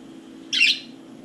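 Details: One of four caged budgies playing inside and on top of their cage gives a single short, harsh, bright squawk lasting about a quarter second over a low steady room hum.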